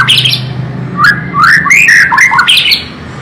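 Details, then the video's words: White-rumped shama delivering a loud, complex song of fast rising and falling fluty notes mixed with scratchy chips, in a quick run of short phrases after a brief high twitter. "Burung Murai Batu"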